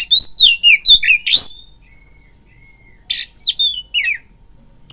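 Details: Oriental magpie-robin giving a provoking lure song: a quick burst of rich whistled phrases with harsh buzzy strokes, a long quiet gap with faint thin whistles, then a rasp followed by descending whistled slurs.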